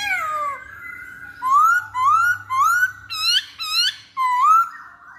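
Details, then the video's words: Masked laughingthrush giving lure song. A falling whistle opens the phrase, followed by five loud whistles that each rise from low to high. Some are sharper and steeper, and one last rising note closes it. "Pancingan Poksay Hongkong"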